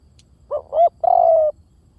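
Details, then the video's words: Spotted dove lure call: a single clear phrase with two quick rising hoots leading into a longer, level, slightly descending coo, in quiet surroundings. "เสียงนกเขาใหญ่!! เสียงต่อ!"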